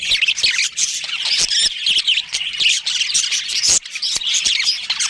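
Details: Budgerigars in a colony with a breeding pair, giving dense, overlapping high squawks and chirps in constant chatter, with scattered sharp clicks throughout.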